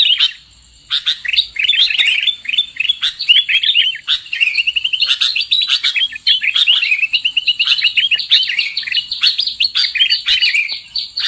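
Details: Sooty-headed bulbul lure sound for catching birds: after a second of silence, an unbroken stream of quick, bubbly chirps and twitters continues to the end.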